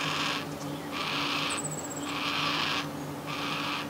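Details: A young yellow-tailed black cockatoo begging its parents for food gives harsh, wheezy rasps, each about half a second long and repeated almost every second; a thin, high whistle cuts in briefly over a low hum.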